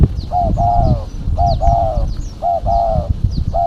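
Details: Female spotted dove calling as a lure: three clear phrases, each a short coo followed by a longer drawn-out one, with thin high chirps of small birds and low rumbling noise behind.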